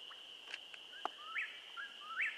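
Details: Eastern whip-poor-will singing just before dark in southeastern Missouri during a turkey hunt. Two quick three-part whistled phrases, each a low note rising into a sharp up-and-down flourish, against a steady high insect drone and a few faint clicks.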